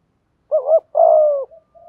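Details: A single spotted dove lure phrase for attracting wild doves: a quick wavering double hoot followed by one long, steady, mellow coo, then a soft trailing note.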